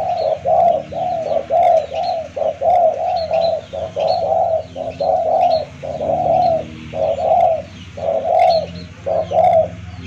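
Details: Spotted dove calls used as a lure to draw a rival bird close: low, hollow coos in short bursts, repeated roughly once per second almost without pause across the recording, with faint higher chirps of other birds in the background.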